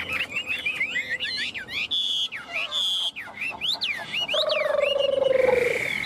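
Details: Newly arrived tame Chinese hwamei, held in the hand, singing evenly and well; rich varied whistled song of rising and falling slurred notes, sustained pure tones, ending in a rapid rattling trill, loud and close.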